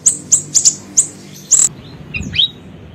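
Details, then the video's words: Small siri-siri bird used as a lure recording gives a run of piercing, very high single chirps, then a brief lower, down-slurred twitter near the end; a low steady hum lies underneath. "PANCINGAN PIKAT SUARA BURUNG SIRI SIRI KECIL"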